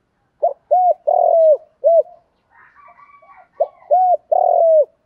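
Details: Spotted dove calls from male and female birds, meant to provoke doves: two repeated phrases of mellow, throaty coos, each with a drawn-out falling third note, with soft higher chattering notes in the pause between them.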